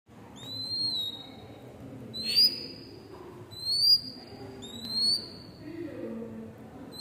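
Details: Tame oriental magpie-robin giving a series of clear, slightly rising whistled notes, one roughly every one and a half seconds, over a low background hum.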